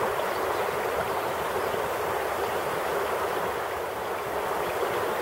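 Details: Steady rushing and gurgling of a river stream fills the recording, with no animal voice heard.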